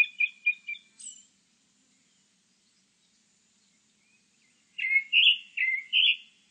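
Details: Grey-backed thrush song, recorded in 2020: a phrase of three or four short, clear whistled notes ending in a high note, then a long silence before a second phrase of richer, fluty rising notes.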